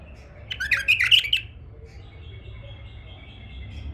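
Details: Tame male bulbul kept as a pet, delivering one rapid bubbling warbled phrase, then fading out to a faint thin whistled tone and low hum.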